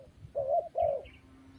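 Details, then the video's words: Two smooth coo notes from a spotted dove, the second slightly longer and falling at the end, with faint higher chirps and low rumble behind. "GELAGAT BURUNG TERKUKUR | SUARA YANG PADU"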